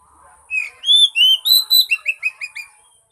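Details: Oriental magpie-robin song played as a lure to prompt a silent bird to sing: a rich phrase of clear rising and falling whistles, then a quick run of short, slurred notes repeated several times a second.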